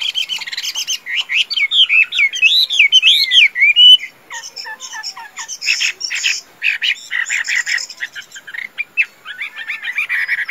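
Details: A captive pure Chinese hwamei, a good singer and fighter, pours out a loud, rapid song of rich slurred whistles rising and falling, mixed with scratchy chatter, briefly pausing before resuming in varied phrases.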